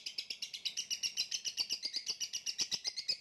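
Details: Caged lovebird singing in gantangan macet style: a steady unbroken stream of shrill, high chattering notes repeated about four times a second.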